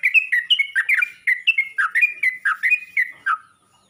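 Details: A Yellow-vented bulbul calls other bulbuls in a lively run of liquid, warbling notes, short and pitch-bending, packed tightly for about three seconds then trailing off into silence.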